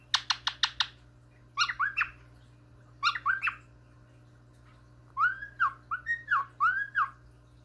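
A cockatiel gives soft, chick-like begging chirps and arched whistled notes, asking for a treat.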